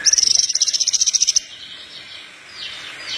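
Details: Horsfield's bush lark singing energetically, a recording used to prompt and train other larks to sing: a rapid run of about sixteen sharp, high, evenly spaced notes over less than a second and a half, then only soft hiss.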